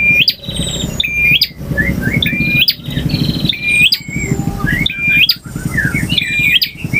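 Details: Singing male bar-winged prinia, long varied song in ngalun and ngotot styles: hooked whistles, buzzy trills and short chirps repeated almost every second over a low background hum.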